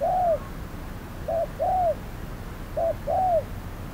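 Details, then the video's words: Caged spotted dove used as a decoy in trapping, calling at hot noon: soft hollow coos, a clipped note then a drawn-out downward-curving one, two such pairs after an opening coo, with quiet gaps between. "Bẫy cu gáy 10 // Mồi VR001 gặp phải con Bổi quá khôn"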